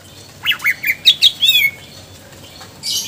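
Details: Greater green leafbird singing energetically and showing its repertoire of mimicked phrases. A quick run of about eight varied notes: rising whistles, then chirps, ending in a trilled, downslurred phrase, followed by a short buzzy note.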